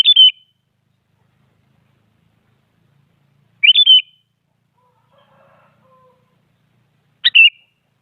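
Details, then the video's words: Active sooty-headed bulbul delivering a short rising-then-falling whistled phrase about every three and a half seconds, meant to goad other bulbuls into song; faint low murmur between phrases. "Suara Burung Kutilang Paling Aktif Memaksa Lawan Agar Bunyi Jadikan Kutilang Ikut Gacor"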